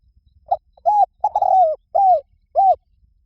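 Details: Spotted dove cooing: a short series of soft, mid-pitched hooting coos with one longer, slightly falling phrase in the middle. About five notes over three seconds, separated by silence, with no other sounds.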